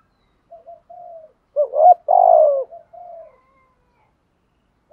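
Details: Spotted dove in thúc gù style, calls used to make other doves respond. Gentle paired coos, a loud rising note with a long falling coo, then soft coos again before a short silence.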